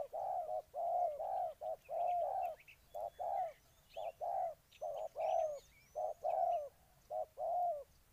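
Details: Spotted dove from Ninh Thuận, Vietnam, singing loud, hollow coos in short groups of two or three notes, repeated steadily. Faint high chirps of small birds sound in the background.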